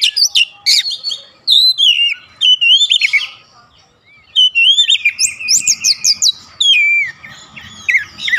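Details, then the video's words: Oriental magpie-robin singing to provoke rival magpie-robins, a rich run of whistled slurs, rapid high chips and falling notes in dense phrases with brief gaps, faint low background rumble. "PANCINGAN AMPUH KACER"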